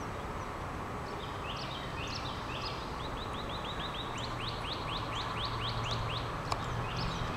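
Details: Backyard birds in Decatur, Georgia, on 1 March 2012: a few scattered chirps, then an even, rapid run of repeated slurred notes about four per second, over steady low background rumble and one brief click.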